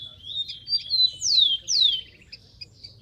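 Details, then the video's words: Rufous-collared sparrow in the wild delivering one phrase: rising lead notes, then two strong downslurred whistles, trailing into a short dry rattle and high chips over low hum. "BURUNG KICAU"SPARROW RUFOUS"(KICAU MANIA)Full Gacor di alam liar"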